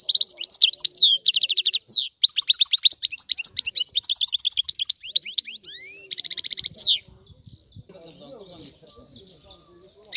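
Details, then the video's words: European goldfinch singing energetic twittering phrases laced with buzzy trills and upward-sweeping whistles for about seven seconds, after which only faint background sound remains. "تغريد الحسون"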